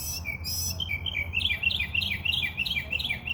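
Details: A bird's chirps run in a quick series of short, bright, rising-and-falling notes, getting louder toward the middle, with faint high squeaks at the start and low background hum.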